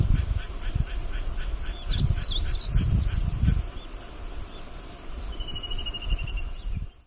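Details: On 13 July 2018 at Kubokawa Ihatov World, a meadow bunting sings a fast, high phrase of sharp varied notes, later followed by a drawn-out thin whistle. Soft repeated pulses come before the phrase, with insect hiss and wind rumble throughout.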